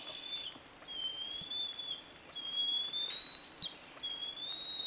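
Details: Bald eagle calling in Michigan: quieter, thin whistled notes repeated roughly every one and a half seconds, each slightly rising and held, over faint background hiss.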